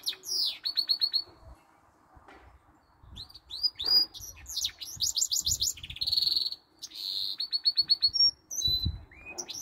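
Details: A goldfinch × canary hybrid that sings all day long, its song carrying canary notes, delivers bursts of fast twittering trills and sharp sweeping whistles, separated by short silences, with faint low thumps underneath.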